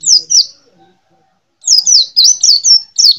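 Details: Yellow-green white-eye singing two high down-slurred notes, a short pause, then a lively string of about seven rapid, bright slurred chirps.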